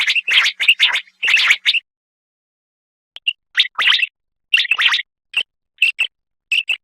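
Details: Common quail (batair) calling: a fast cluster of sharp, liquid notes, a pause of over a second, then renewed bursts of clipped paired notes. No other sounds.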